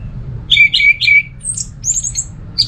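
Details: Orange-headed thrush song meant to draw other thrushes into song: three quick, bright repeated whistles, then very high thin trills and a final short squeak, with low hum in the background.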